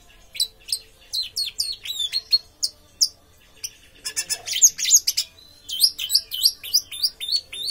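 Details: Orange-headed thrush pouring out rapid, repeated high whistled notes, each sliding sharply downward, strung into quick runs with a brief chattering burst in the middle.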